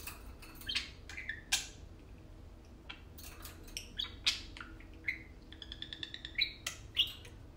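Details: Tame pet parakeets, a pair, talking and playing indoors; soft, rapid ticking chirps and small whistled warbles, quieter than the surrounding bursts, in uneven bunches.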